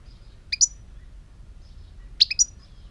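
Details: A European goldfinch, recorded in 2018, gives two short bursts of two or three high liquid chirps, roughly one and a half seconds apart, against near silence.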